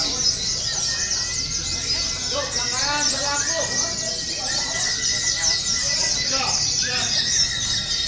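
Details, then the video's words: Oriental white-eyes at a simulated song competition used for training, many birds overlapping in dense, high, thin twittering song with long unbroken bursts, while a man talks and other voices murmur underneath. "TERAPI DAN SIMULASI LOMBA PLECI : FULL TEMBAKAN PANJANG PANJANG"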